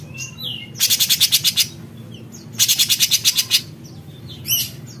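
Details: Energetic cucak cungkok bulbul in besetan: two scratchy bursts of rapid pulses, each about a second long, separated by soft thin whistles, then a short sharp note near the end.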